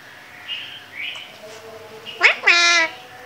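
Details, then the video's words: Talking parrot imitating Urdu/Hindi words: murmured syllables, then a quick upward squeak followed by a sustained nasal, voice-like tone lasting under half a second. "Cute Talking parrot😘 | Parrot talking in urdu/hindi"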